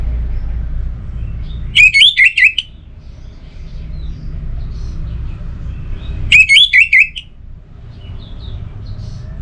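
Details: Orange-headed thrush song played to prompt quiet birds into singing: two short bursts of bright, warbled whistled notes about four seconds apart, over a low steady background hum.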